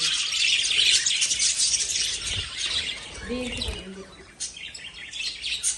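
Lovebirds chatter in a dense, continuous stream of shrill, high chirps, several birds calling over one another. A man's voice speaks briefly midway.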